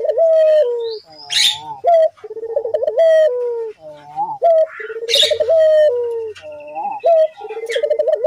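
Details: Repeated cooing phrases from a collared dove used as a lure recording: short tonal notes lead into rapid trilled rolls and drawn-out falling coos, cycling every couple of seconds, with scattered sharp chirps and whistles of other birds throughout.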